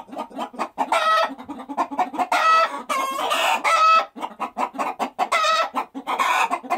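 Chickens clucking in quick, uneven bursts, with a few longer, harsher drawn-out cackles rising above the steady chatter.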